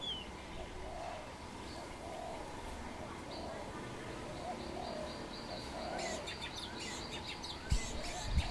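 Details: A wild Khmer dove perched on a tamarind branch gives soft, low, hollow coos in an uneven series, roughly one per second, faint over steady background hiss. Thin high whistles from other birds and a few sharp clicks come near the end.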